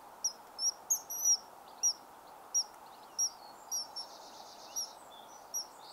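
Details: Common kingfisher (Alcedo atthis), call.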